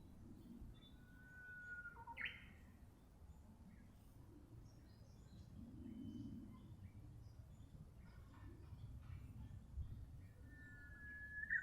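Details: Japanese bush warbler gives a full song near the start: a sustained clear whistle that breaks into a brisk, higher, twisting ending. A second long whistle begins at the close. Soft chirps of other birds and a low rumble lie beneath.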